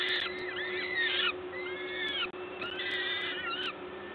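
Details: Peregrine falcons during feeding, Gdańsk LOTOS nest, Poland, 14 May 2022, 11:07; loud, overlapping arched calls, a short pause, then another cluster of wavering wails, with a low hum throughout.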